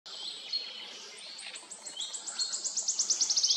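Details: Wood warbler singing: a series of high, sharp ticking notes that starts spaced out and quickens steadily into a fast, shivering trill. Faint high chirps come before it.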